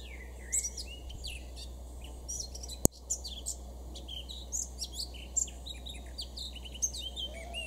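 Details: Male Eurasian blackcap in a garden in Weener, East Frisia, northwestern Germany, June 2022: scattered high, sharp warbling notes and chirps throughout, one loud click, over a steady low hum.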